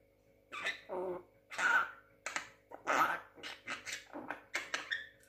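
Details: Talking young Javan myna, six months old: a continuous run of about a dozen rough, speech-like syllables, some with short tonal squeaks, pouring out over five seconds in a quiet room.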